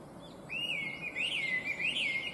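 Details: Chinese hwamei, described as an invasive alien species, singing a bright, beautiful, complex song: a run of loud, wavering whistled phrases that rise and fall in quick undulations, with faint higher chirps of other birds behind.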